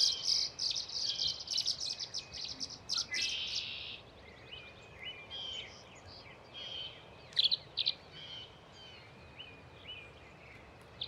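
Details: Tree swallows, a nesting male and female, on 14 April 2024 at Patuxent Research Refuge in Laurel, Maryland. A dense burst of liquid twittering chirps over the first four seconds, then sparse, softer chips with a couple of sharp notes.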